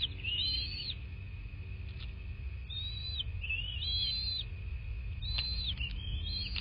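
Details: Nest-cam recording of a bald eagle in southwest Florida, 26 February 2024, 09:21: piping, slurred whistles in short groups separated by pauses, with a few clicks, a steady hum and a deep rumble underneath.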